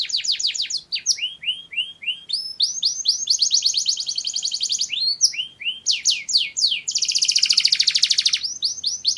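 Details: Mushti canary song made of fast repeated sweeping notes in changing rolls, some slower and lower, then a dense buzzy high trill lasting about two seconds before rapid chips resume.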